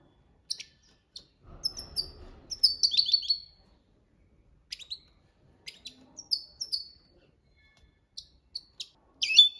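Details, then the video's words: European goldfinch singing the copia Malaga style used as a training song: scattered bright high twittering phrases and short chirps, a longer tumbling run near three seconds, faint low rumble early on. "Jilguero Cantando la copia malaga _ Goldfinch bird singing the wonderful sounds for training songs"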